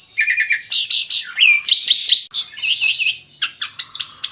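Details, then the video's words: Asian pied starling, described as skilled at drawing other birds to sing: dense varied song mixing harsh rasping notes, upward-flicked whistles and a pause, then bright repeated high whistles at the end. "Jalak suren ini PINTAR memikat burung lain AGAR IKUT GACOR"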